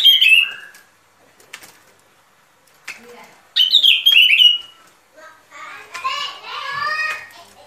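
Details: Sooty-headed bulbul lure song for trapping: a falling whistled phrase, a louder bubbly slurred phrase midway, then softer harmonic chattering notes toward the end.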